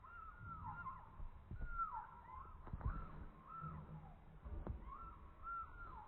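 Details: Young chicken, slowed down. Faint, drawn-out arching notes rise and fall, coming in loose groups over low rumbling and thumping background noise.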